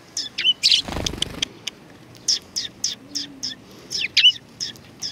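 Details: At a Tenmangu shrine on 3 July 2020, sparrows come to greet a visitor with a string of separate high chirps spaced about half a second apart. A brief low rumble, like a passing vehicle, sounds early on.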